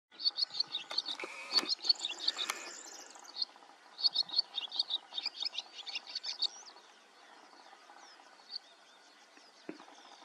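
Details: Barn swallow (Hirundo rustica) at Warta Mouth National Park, Poland, gives a fast, high twittering song of chirps and scratchy notes for about six seconds, then a few scattered chirps over faint background noise; finding: Barn swallow.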